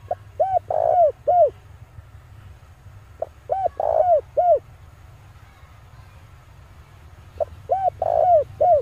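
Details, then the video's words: Male spotted dove lure recording: three phrases, each a run of short arched notes around one longer coo, spaced about three seconds apart over a steady low hum. "pancingan suara burung tekukur jantan"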